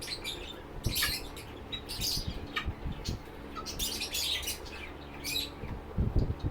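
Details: Captive lovebirds in a bird rescue shelter: scattered bright, sharp chirps and short squawks come in quick bursts, with pauses between them, over a steady low hum and rustling.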